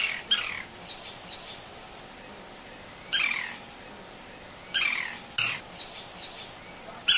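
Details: In natural habitat in Brazil, a wild green-barred woodpecker utters harsh descending screechy notes, one near the start, another at three seconds and a close pair near five. A faint continuous high insect whine accompanies them.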